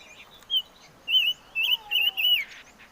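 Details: Chim ngũ sắc singing a short phrase of clear, warbling whistles, one brief note followed by four longer wavering notes in quick succession, with a faint lower whistle underneath.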